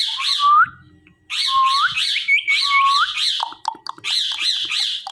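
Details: Talking parrot calling loudly in raspy, repeated phrases with upward-sliding whistled endings, separated by a brief pause and some low clattering.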